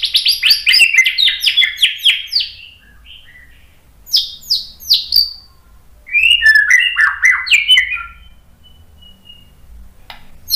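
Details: White-rumped shama giving agitated song to provoke other males: a fast run of high downslurred notes, a pause, a few sharp notes, then another burst of varied slurred phrases.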